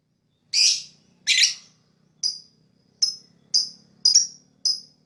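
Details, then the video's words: Lovebird chirping, said to attract other birds: two harsh rasping squawks followed by a quick, even run of short sharp high ticks about half a second apart. "Lovebird Fighter Chirping sound, most powerful for attract other bird"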